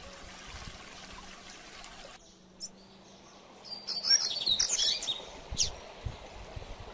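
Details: Mateiro-style song of a double-collared seedeater, used in training to fire up other coleiros: after a quiet start and one isolated chip, a dense burst of high, sharp warbled notes, then a single closing chip.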